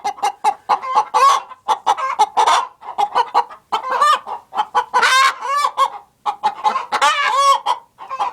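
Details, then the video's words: Hens in a productive hen house cluck in clipped bursts with brief gaps. Several long, wavering, nasal calls stand out, especially near the middle and end. "Sounds of a productive hen house"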